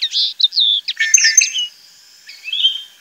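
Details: European goldfinch from the Tablas de Daimiel and Villarrubia area of the Manchegan plain, Spain, singing rapid tinkling twitters and buzzy trills high in pitch, bursts of liquid notes with short pauses between phrases.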